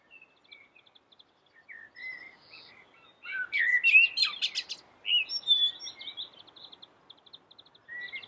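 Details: Common blackbird, black with a yellow beak, in lively melodious song. Scattered soft notes build into loud fluted warbling mixed with sharp high chips, then more whistled phrases.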